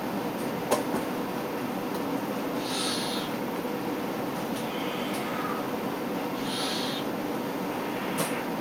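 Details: A juvenile Tengmalm's owl utters breathy, high hissing notes spaced a few seconds apart, with faint sharp clicks and a continuous low background rumble.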